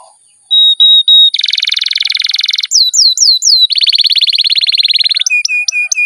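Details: Pet canary singing long loud rolls to prompt other canaries: a thin whistled note, a dense buzzy rattling trill, a few sharp downward sweeps, another long harsh roll, then short clipped high notes.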